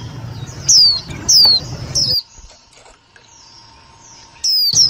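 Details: White-eye lure call for trapping and stimulating other white-eyes: three bright falling chirps about half a second apart, then a near-silent gap, then two more high downslurred notes at the end.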